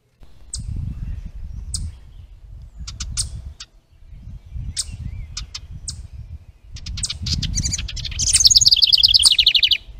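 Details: House wren by a bluebird box holding its stick nest, trail camera, 10 May 2023: scattered sharp high ticks over low rustling, then a loud, fast, tumbling series of trilled notes falling in pitch at the close.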